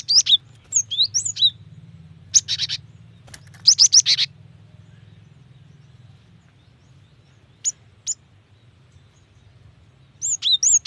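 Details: Female Cinereous tit calling to a male, kept to make wild or young birds sing: fast high twittering bursts at the start, middle and end, with a long quiet stretch and a few isolated chips between.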